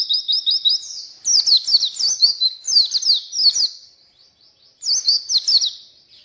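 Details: Oriental white-eye singing, used as a lure and tutor for white-eyes reluctant to sing: high twittering phrases of rapid looping whistles, delivered in bursts separated by short pauses.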